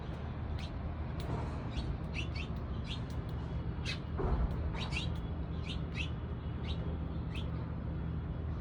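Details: Morning sparrow chirping; repeated short high chips and tweets scattered through, some in quick pairs, with a constant low rumble beneath and a brief louder noise midway.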